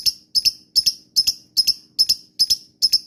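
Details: Lovebird lure call intended to draw answering calls: shrill paired chips, each pair quickly doubled, recurring steadily at just over two per second.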